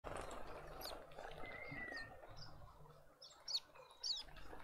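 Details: Dark-capped Bulbuls (Pycnonotus tricolor) at a feeder in a suburban garden in Pretoria, South Africa, giving short, sharp, high chirps, two bright notes near the end, over a low rumble and faint background twitters.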